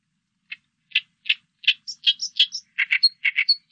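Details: Oriental reed warbler singing: spaced harsh chack notes gradually speed up, mixed with thin high whistled squeaks, ending in quick pairs of low rasping notes. Clean recording with no other sounds.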